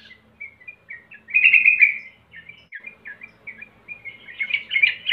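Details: Sooty-headed bulbul singing, a lure to bring on song: short slurred chirps around a loud warbled burst, then a busy series of quick notes building louder toward the end.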